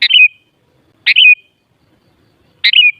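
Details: Sooty-headed bulbul repeating a loud, quick, descending chirpy phrase three times, about one to one and a half seconds apart, against a silent background.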